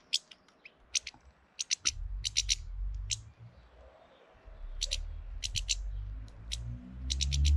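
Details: Filmed in early April, a large European goldfinch tries to intimidate a rival goldfinch, uttering rapid bursts of thin, high, tinkling notes in uneven clusters, with a low rumbling background that swells and fades.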